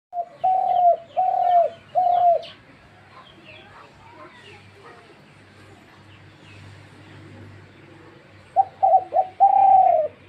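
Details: Dove cooing: three hoarse, slightly falling coos near the start, a quiet stretch with faint background chirps and low hum, then a quick pair of short coos and a long coo near the end.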